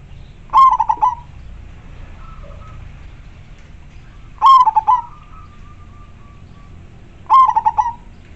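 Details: A local zebra dove calls actively with a clear, strong voice, a recording meant to lure wild doves. Three clipped bursts of fast pulsed coos come at roughly three-second intervals over a low background hum.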